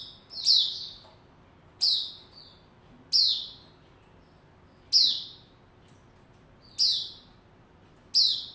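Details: White-rumped shama in a cage opening up before singing, 27 December 2021: loud, clean downslurred whistles with a sharp attack, repeated regularly about every one and a half seconds, over near silence.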